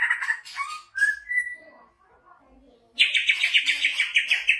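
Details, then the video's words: A big-bodied greater green leafbird from Banyuwangi sings varied clear whistles, some sliding upward, then after a brief quiet spell a rapid, bright chattering run of about four notes per second. "Burung Cucak Hijau Gacor"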